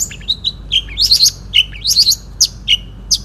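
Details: Long-tailed shrike, a national champion singing bird from 2016, in the single-point style of song, giving rapid high chirps and twittering notes in short bursts.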